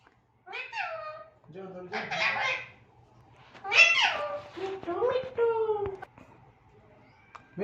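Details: A pet Alexandrine parakeet, said to be female, talks in short, harmonic, voice-like phrases of rising and falling pitch, repeating a two-syllable word (mithu), with brief gaps between bursts.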